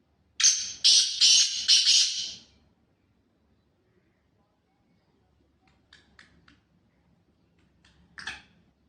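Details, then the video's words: Black francolin, a Sindhi bird, calling: a loud harsh burst of rasping, buzzy notes over about two seconds, then quiet with a few faint short clicks and one sharp note near the end. "Kala teetar ki Awaz"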